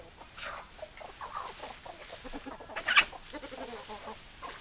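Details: Chickens clucking and squawking close by, a few rising squawks and short clucks, with a sharp loud click near the middle.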